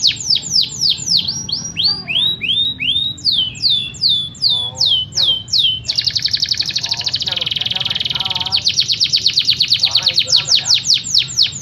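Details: Yorkshire canary song with long rolls: repeated downward-sweeping whistles, then a dense buzzy trill and a rapid pulsed roll, with fainter lower chirping notes from other birds underneath.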